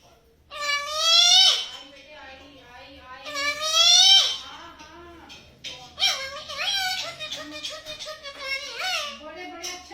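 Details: A pet parrot calling for mummy, giving repeated drawn, harmonic-rich, slightly wailing calls that rise and fall, indoors, with a woman talking softly in Hindi in the background.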